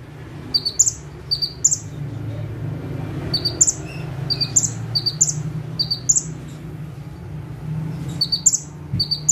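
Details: Bar-winged prinia sitting still in one spot and singing steadily in full bursts. High note pairs end in bright upslurred whistles, repeated almost every second with few gaps, against a low background drone.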